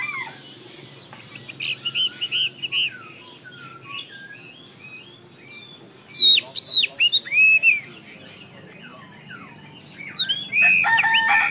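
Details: Chinese hwamei starting with soft, scattered whistles, then bursting into loud, swooping whistled phrases and sharp slurred notes, with brief pauses between outbursts and a low background hum.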